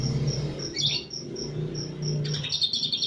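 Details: Greater green leafbird of the East Java type singing cililin-style phrases: two short bursts of dense, sharp high twittering over a steady series of high, even beeps and a low hum.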